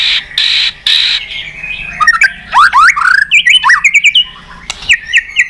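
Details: White-rumped shama song used as a training recording to provoke other birds to sing: harsh buzzy bursts, then rich whistled swoops and rapid rising and falling notes, varied and loud.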